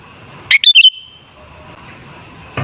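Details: Sooty-headed bulbul song meant as a lure for other bulbuls: one brief, bright, bubbling phrase of three quick notes, then a thin fading tone and quiet, with a knock at the end.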